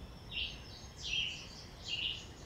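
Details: Northern Cardinal on a nature trail at a county museum, morning during nesting season, gives three short, bright, slurred notes about a second apart over steady outdoor hiss, calling to another cardinal in the distance.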